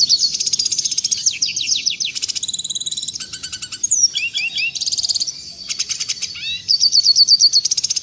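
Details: Red siskin song, clear and clean, played to teach caged birds: varied high trills, buzzy rattles, short descending slurs and rapid repeated chips in quick succession.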